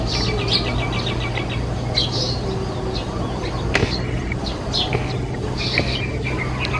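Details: Sparrow building a nest, giving short high chirps, with a quick rapid series at the start and scattered single chirps after, over a loud steady low hum and background noise.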